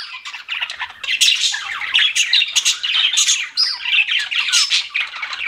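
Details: Continuous warbling chatter from pet budgies, rapid buzzy chirps and squawks layered together with few pauses.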